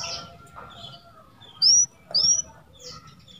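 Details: Canary song used as a masteran, a tutor recording for canaries that have stopped singing: two bright, rising whistled notes about half a second apart, with faint scattered chirps and a low background hum.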